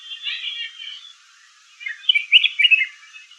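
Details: Red-whiskered bulbul calling: two bursts of lively chirped, warbling notes, the first fuller and the second louder and more broken, separated by a short pause; no other clear sounds.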